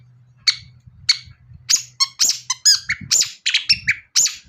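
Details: Long-tailed shrike song used as a lure to get other shrikes singing: sharp, squeaky separate notes at first, then quicker clusters of high whistled and slurred calls over a faint low hum.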